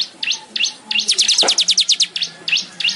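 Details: Manyar, a weaver of the genus Ploceus, singing: sharp V-shaped chirps and a fast run of high repeated notes in the middle, with a faint low hum underneath.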